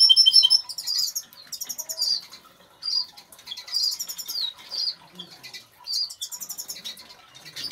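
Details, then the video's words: Major goldfinch of agate colour singing in a home aviary: a loud, harmonic chattering trill, then quick high twittering phrases with liquid slurred notes and buzzy bits, coming in bursts about every second. "zingende Major Putter of wel singing Goldfinch"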